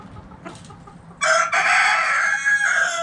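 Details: Backyard rooster crowing among chickens dust bathing in dirt: a loud, harmonic-rich crow with a short first note, then a long sustained strained note fading at the end, over faint low background hum.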